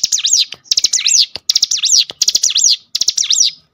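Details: Cinereous tit singing to provoke others into song: five loud phrases of rapid, piercing high notes sweeping down and up, delivered in quick succession, about 82 a minute.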